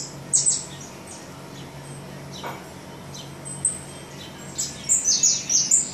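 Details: Saffron finch nestlings, hungry and being fed in the nest, give high-pitched begging chirps: a brief cluster early on, a few isolated peeps, then a rapid rising run of five or six shrill notes at the end.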